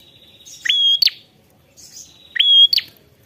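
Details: Prinia calling to a rival, delivering two loud rising whistles with a flat high tail and a sharp buzzy end note, spaced under two seconds apart.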